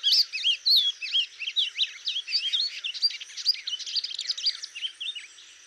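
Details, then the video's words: Rapid, rich warbling of a wing-barred seedeater, Sporophila americana, densely packed looping whistles and chirps, loudest at the start and tapering off near the end. "O canto do Coleiro do norte ( Sporophila americana )"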